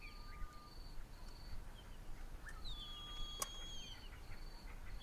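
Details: Young Crested Francolins in Kruger National Park, South Africa, give thin, drawn-out high whistles, some level and some gently falling, over a steady low rumble of wind or engine noise.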